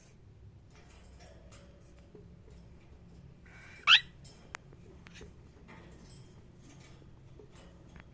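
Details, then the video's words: Cockatiel uttering a single sharp, raspy chirp midway, followed by a faint click, with otherwise near silence and low room hum. "Cockatiel chirping sound"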